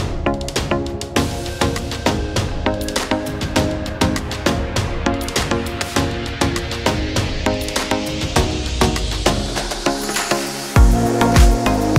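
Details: Rhythmic percussive music with drums and wood-block hits, with no animal voice audible. A steady beat and bass notes carry throughout, shifting to a heavier low rhythm near the end.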